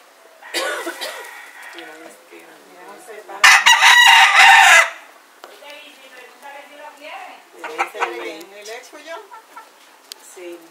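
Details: Roosters near a cock fight in Puerto Rico in winter 2014, two rivals yelling at each other; a loud, harsh, harmonic crow bursts out near the middle amid people talking in Spanish, with further rough calls and chatter afterward.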